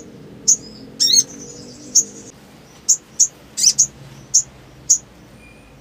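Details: High thin chips and short whistled notes from a black sunbird, with a quick twittering flourish early on, the sharp notes repeated irregularly about every half second.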